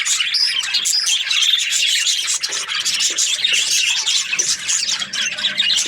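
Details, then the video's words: Parakeets in breeding pairs in an aviary give constant high chirps and scratchy chatter, many birds overlapping in a dense, even twittering throughout. "Happy budgie chirping sounds | parakeet breeding pairs"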